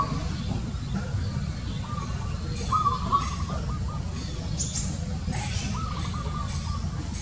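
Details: Zebra dove uttering two rolling series of quick, percussive coo notes, each series about a second long, with a constant deep background rumble.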